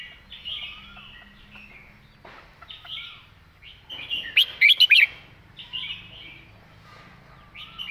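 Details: Red-whiskered bulbul delivering a distinctly phrased master-pattern song: a loud burst of rapid, bouncing whistled notes midway, set against scattered quieter chirps and twitters from surrounding birds.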